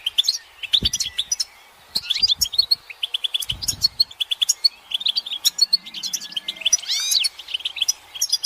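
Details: Group twittering of European goldfinches, the mating and readiness calls that push males to sing: an unbroken stream of high, sparkling chirps and buzzy trills, with a few soft low thuds early on.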